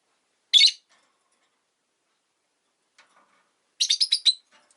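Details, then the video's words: Caged rosy-faced lovebird among five by a window in winter, giving one harsh chirp, then after a pause a rapid run of four or five raspy chirps. "冬とか関係なく良く鳴く子【Lovebird Chirping Sounds"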